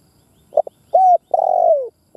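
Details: Decoy spotted dove calling to provoke caged doves: two short soft notes, then a bright, level mid-pitched coo and a longer, slightly buzzy coo that slides downward. The recording is clean and quiet.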